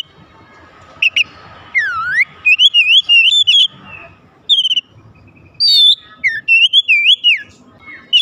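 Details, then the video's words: Magpie-robin song meant to set other magpie-robins singing: sliding whistles and a long series of loud wavy, warbling phrases with crisp high flicks, broken by short pauses. "kicauan terindah memancing Kacer lain langsung gacor"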